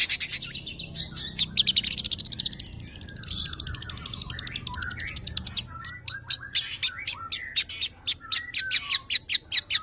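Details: Kept long-tailed shrike in varied, mimicry-filled song used to stimulate other birds: a mix of high chatters, warbled phrases and sharp repeated clicks over a noisy background.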